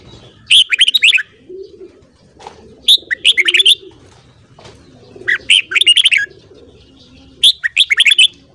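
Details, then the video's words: Red-whiskered bulbul morning song used for song training: four loud, rich warbled phrases, each a rapid cluster of looping whistled notes, spaced about two seconds apart over a faint low hum. "Luyện giọng chào mào hót sáng"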